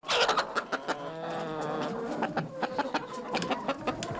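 Chickens clucking in short, abrupt bursts with a drawn-out, nasal murmur in the middle, several birds overlapping at an uneven pace.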